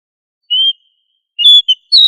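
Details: Oriental magpie-robin (kacer) in 'gacor ngobra' style, a training recording for other magpie-robins: a lone high whistled note, a pause, then a quick cluster of short bright whistles. No other sounds.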